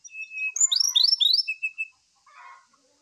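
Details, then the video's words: Brown-chested jungle flycatcher singing vigorously and agitated in the morning, used as a lure song: a level high whistle, then a quick run of bright, slurred whistled notes stepping downward, ending in a softer low chatter. "SIKATAN RIMBA DADA COKLAT GACOR DI PAGI HARI ,PANCINGAN SRDC"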